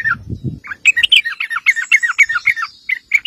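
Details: Sooty-headed bulbul in energetic 'ngeropel' song, played to draw replies from other bulbuls: a few low thumps, then a fast run of liquid, bubbling chirps and warbles tumbling over one another.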